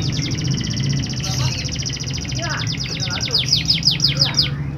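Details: Canary song to prompt reluctant canaries to sing: a dense fast trill that changes into slower, repeated downward-slurred chips near the end, set against a low steady hum.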